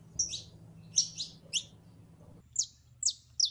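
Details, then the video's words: A female canary in heat calls a male to mate with paired, buzzy high chirps about every half second, then louder single slurred tweets after a short pause, low hum behind. "HEMBRA EN CELO LLAMANDO A MACHO CANARIO PARA APAREARSE"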